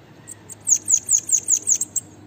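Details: Bananaquit (sibite, cambacica) song meant for training other birds: a quick run of about eight thin, very high, sharply descending notes, evenly spaced, with faint low hum behind.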